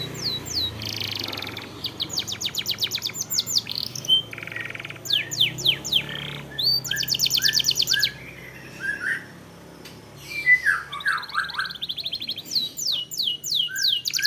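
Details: Long canary song played to coax caged canaries into singing: alternating rapid high trills, downward-sweeping whistles and buzzy segments, with brief pauses between phrases.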